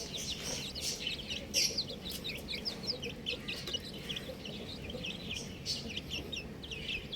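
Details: A brood of buff chicks chirps continuously, with many overlapping short, high-pitched peeps that often bend up and then down, forming a busy, steady chorus over low ambient noise.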